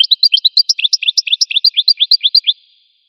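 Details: Rapid, lively goldfinch song made of bright chirps in a steady run of over twenty notes, alternating higher and lower pitches, then ending abruptly; clean and quiet background.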